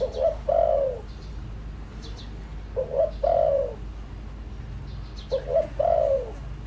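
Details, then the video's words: Decoy spotted dove calling to attract wild doves: three evenly spaced phrases of two brief coos leading into a longer, sliding, throaty coo, roughly every two and a half seconds. "tiếng chim cu gáy mồi đủ bài gọi thúc gù giọng hợp Bổi kích bổi nhanh nổi"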